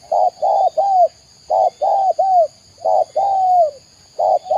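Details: Spotted dove, tekukur in Indonesia, cooing steadily in loud repeated phrases of two or three short coos ending in a longer sliding note, roughly every one and a half seconds.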